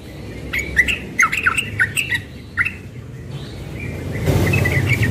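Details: Young yellow-vented bulbul in the morning delivering a quick ropel burst of warbled chirps, which fades as loud rumbling noise takes over the second half.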